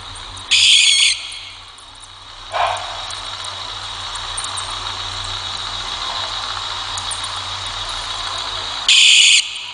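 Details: Barn owl in Brazil giving its characteristic loud scream: two harsh, hissing screeches, each about half a second long and roughly eight seconds apart, over a steady background hiss.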